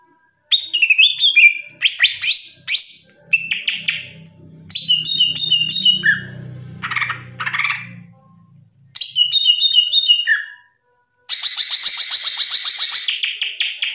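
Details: Green leafbird (cucak ijo) with a varied, loud ngeplong song for training young birds: short whistled phrases separated by brief gaps, a few lower slurred notes, and a fast buzzy trill at the end.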